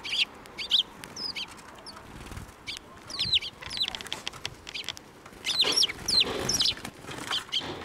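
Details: Group of sparrows gathering to be fed beside a path at a Tenmangu shrine, 19 April 2024, with lively overlapping high chirps and twittering notes, plus a few soft rustling or fluttering bursts near the end.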